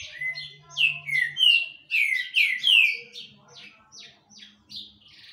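A Green-winged Saltator gives a loud run of rich, downslurred whistles, about three a second, then trails off into softer, quicker notes, with a faint low hum at first.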